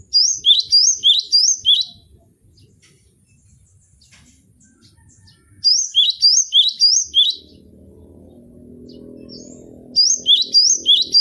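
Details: Cinereous tit (gelatik batu) singing as a tutor recording for training young cage birds: bursts of quick, high, whistled two-note phrases repeated about seven times, with pauses between bursts and a faint low rumble in the gaps.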